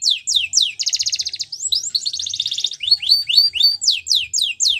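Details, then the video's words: Canary singing in the wild: bright downslurred whistles, two long buzzy rolling trills, then a series of rising and falling chirps, delivered continuously and loud. "Melodies Canary In The Wild"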